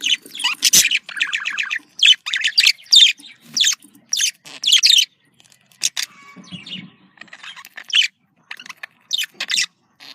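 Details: Pet budgerigar warbling played to stimulate breeding, rapid rattling trills and sharp chirps in clustered bursts, a quieter stretch midway with faint low noise, then further scattered high chirps.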